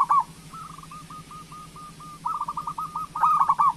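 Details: Local zebra dove singing to stimulate other doves: a long string of soft evenly repeated cooing notes, then louder trilled coo phrases toward the end.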